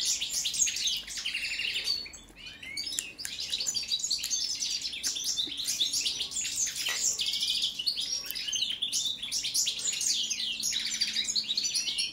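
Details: Balkan European goldfinch, subspecies balcanica, in a song check: long unbroken twittering song of quick chirps, rattling trills and tinkling phrases, dipping briefly quieter near the two-second mark before resuming at full energy.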